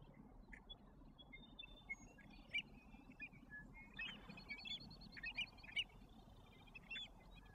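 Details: Repeated brief, sharp high calls from American avocets accompanied by young chicks in Alberta, becoming denser toward the end, over steady low background noise.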